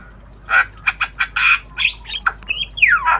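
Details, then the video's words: Tame black-winged starling (jalak kebo) learning sounds in obyogan training style: a chattering run of harsh squawky bursts, then clearer whistled notes, the last a long whistle sliding downward. "Jalak kebo Obyogan Belajar Bunyi"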